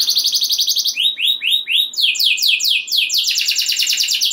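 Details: Canary singing a varied rolling song to fire up other canaries: fast buzzy trills switching to slower upslurred notes, then steep descending notes, ending in another rapid trill.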